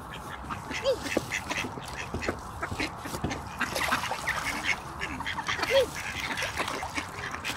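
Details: Ducks playing on a pond in Espoo, Finland. Sparse hoarse quacks arrive every few seconds, and two brief rising calls stand out, all against trickling water.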